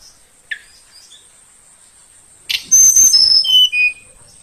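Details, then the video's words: Tledekan Kalimantan, a young bird from the forest kept roughly two weeks, gives a morning phrase: one short chip, silence, then loud, pure whistles tumbling downward in quick steps, over a thin steady high tone. "Kicau burung Tledekan Kalimantan pagi hari"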